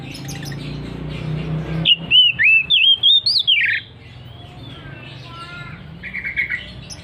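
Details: Oriental magpie-robin singing loudly and insistently in the ngeplong style: a burst of about seven bright, clear whistled notes, some rising and some falling, over two seconds. Softer warbles and a buzzy trill follow, with a low hum underneath.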